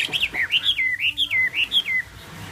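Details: A Chinese hwamei gives a bright series of looping, rising-and-falling whistled notes in quick succession for about two seconds. The notes are pure and melodic, with a quiet background.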